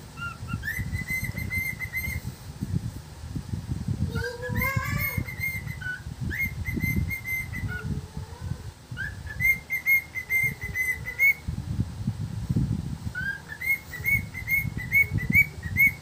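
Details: Pet cockatiel (Nymphicus hollandicus) whistling a learned human tune in clear, steady notes with short rising slurs; tunes include "If You're Happy and You Know It" and Bohemian Rhapsody.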